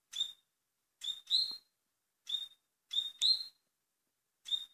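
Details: A double-collared seedeater, a fast singer, gives a song of short, sharp, high whistled notes in quick bursts, some paired, separated by clean pauses, with no other sounds.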